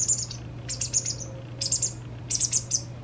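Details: Recently fledged white wagtail chick being fed by its parent, two days before independence: three clusters of sharp, high-pitched chirps, each cluster of three to four rapid notes, with a constant low electrical hum beneath.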